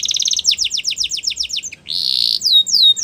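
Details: Song of a canary, played to get canaries singing. A quick doubled rattle, a series of rapid falling chirps, a short buzzy burst, then long sweeping downslurred whistles.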